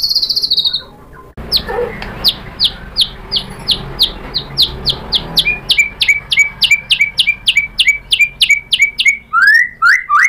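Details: A white-rumped shama sings as a lure to stir up a rival. One brief whistle and a pause, then a long rhythmic series of sharp, clipped downslurred notes, about three per second, ending in rising whistles.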